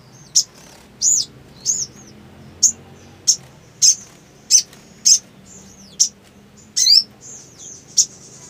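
Black sunbird giving thin, very high sharp chips and short twisting whistles, about one every half second to second, over a faint low hum.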